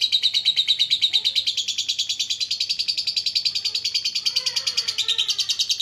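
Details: Lovebird chattering in the 'ngekek' style, used to make a quiet bird sing: a steady, high, rattling stream of rapid ticks runs throughout, with faint, lower, slurred notes from another caller near the end.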